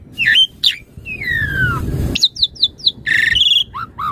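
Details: Asian pied starling singing vigorously, a recording used as master song and lure for other starlings: sharp rising whistles, a long falling slurred whistle over a harsh hissing rasp, then quick descending notes and buzzy stacked chatter.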